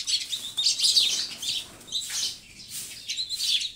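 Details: Sparrow chirps come in clustered bursts of sharp, high notes separated by brief quieter gaps.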